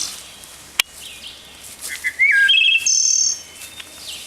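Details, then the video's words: A Veery, a thrush, heard on a woodland bird walk on June 1, 2019, gives fluty, ringing notes: a quick slurred whistle, then a rolling, vibrant tone lasting under a second, over faint woodland background. "And I'm hearing this, it's veery too."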